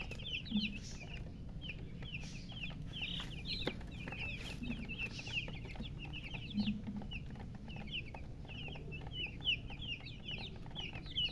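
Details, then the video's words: Just-hatched chicken chicks keep up loud, continuous high chirping, short bright peeps tumbling over one another, with soft low thuds and background rumble. "Tot Murgi chicks chirping sounds Just Born Baby Gallina FRACAS Chicks Piar Loudly Sound"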